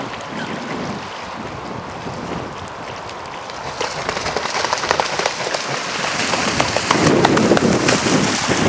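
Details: Broad rain-like splashing and water noise that grows louder toward the end, with no animal call heard.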